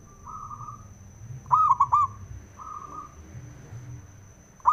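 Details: One clear, broken coo phrase from a male zebra dove, three quick rounded notes, set among softer background cooing and a low rumble; the call serves to provoke other doves into song.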